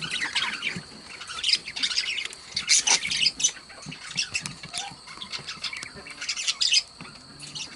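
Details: Two pet budgerigars chattering: dense, scratchy high chirps and twitters in irregular bursts, with occasional louder squeaks throughout.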